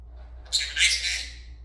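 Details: Pet Senegal parrot, talking and dancing, gives a harsh, noisy squawk starting after half a second. The burst is broad and rasping, swells again and trails off gradually, over a faint low hum indoors.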